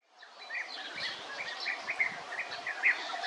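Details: European bee-eater calling: a run of short rolling, burry notes at mid pitch, coming one after another with uneven spacing, over a steady background hiss and a few faint low thumps.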